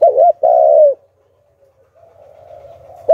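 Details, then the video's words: Spotted dove used as a lure bird, 'Hạp Bổi' voice style. Gives a low double hoot and a sustained, slightly falling coo, then fainter cooing and a soft low rumble. "Chim Cu Gáy Giọng Hạp Bổi - Kích Là Gáy 100% -Tiếng Cu Gáy Kích Mồi"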